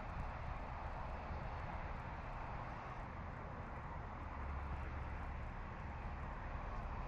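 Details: Steady low rumble of distant traffic or aircraft with broadband hiss, and no animal calls heard.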